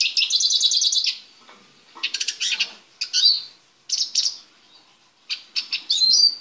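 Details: Eurasian siskin male, held in a small cage ahead of breeding, opens with a rapid high trill, then gives broken twittering phrases and ends on a bright downslurred whistle.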